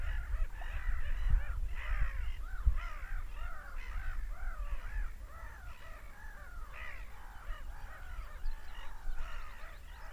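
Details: Seagulls screaming, a dense chorus of overlapping, arching, wailing calls from many birds, repeated rapidly and irregularly, with a steady low rumble underneath.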